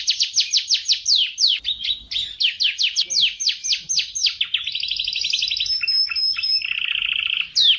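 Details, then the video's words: Serinus canaria, the Atlantic canary, recorded as training song for other birds: rhythmic trills of sweeping notes, then a higher buzzy rolling phrase, a lower rattling trill and a final sharp rising whistle. "Masteran Suara Burung Kenari"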